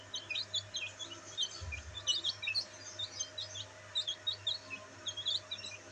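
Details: Several black bantam chicks out in the sunlight chirp busily, with dense overlapping high-pitched peeps in quick succession and a faint constant low hum underneath.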